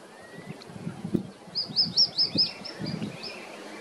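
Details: Tropical gnatcatcher (Polioptila plumbea) at Praia do Forte, Bahia, Brazil, in August 2021, giving a quick run of about eight thin, high, slurred notes over roughly two seconds, with a soft low background rumble.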